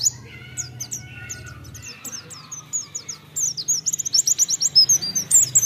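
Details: White-eye twittering, used to stimulate singing: sparse high chirps at first, then a quickening run of sharp, repeated high notes, with a low hum underneath.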